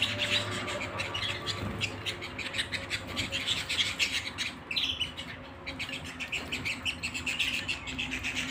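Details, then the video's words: Domestic canary singing at home, with quick bright chirps and buzzy trilled phrases repeating without pause, a brief dip in loudness just past halfway, and a faint low hum underneath. "canary singing at home"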